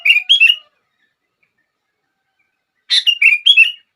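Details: Sooty-headed bulbul singing, used to prompt other bulbuls to sing: short bubbly phrases of liquid chirps, one at the start and a longer three-part phrase after a two-second silence.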